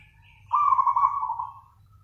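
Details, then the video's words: Single drawn-out, rippling trilled coo from a zebra dove singing in the nganyer style, fading at the end, quiet background. "PERKUTUT GACOR nganyer"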